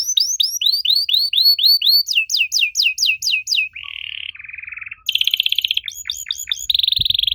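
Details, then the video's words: Canary singing as a prompt for young canaries to reply: repeated clear down-slurred whistles, then a sharper series, a steady buzzy trill, and fast rattling tours, with one faint low thump at the end. "Kenari Muda pasti nyaut kalo denger suara aneh kenari ini"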